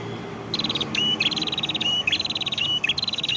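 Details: Prenjak kepala merah near Padas, Ngawi, East Java, Indonesia, in full song: rapid high stuttering trills broken by short flat whistled notes, continuous and insistent, over a soft low hum.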